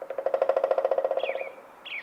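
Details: Male pileated woodpecker of a nesting pair drums on a dead branching cottonwood trunk in spring forest along the Clark Fork River near Missoula, Montana, a fast resonant roll of about twenty even beats fading over a second and a half; another bird adds brief high chirps.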